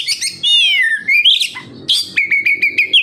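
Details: Captive-bird lure of oriental magpie-robin (kacer) song: a long harsh descending slur, rising whistle, then a quick series of clipped repeated chips.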